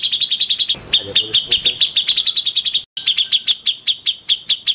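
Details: White-rumped shama in the morning, delivering a long, steady run of clear, high clicking notes, about eight per second, with a short pause midway before the rapid series resumes.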